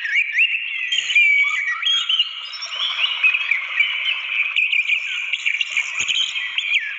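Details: Orange-headed thrush singing in the wild beside a waterfall: a fast, unbroken stream of varied, sweet whistles and rapid slurred notes in the high-middle range, rising and falling without pause.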